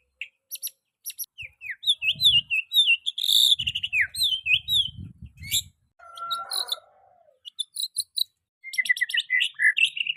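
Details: Song of a young white-rumped shama meant as training material for other shamas: rapid varied phrases of slurred whistles and sharp high notes, a brief pause with a harsher mid-pitched rasp, then fast chattering runs resuming, with faint low rumbling early on.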